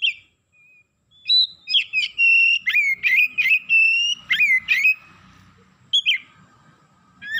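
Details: Excited kacer, the Oriental magpie-robin, unloading its isian song: a rapid run of loud, clear whistled notes, many dropping then rising, roughly three per second, followed by a quieter gap and a final sharp whistle.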